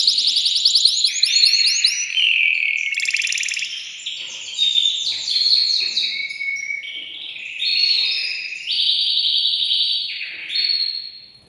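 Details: Male canary, caged and wanting to mate, singing to arouse a female and tutor chicks; fast rising trills open a long run of whistled and rolled tours at changing pitches, with brief dips in loudness.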